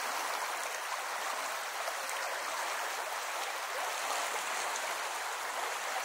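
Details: Steady rushing water from a stream fills the recording, with no animal voices.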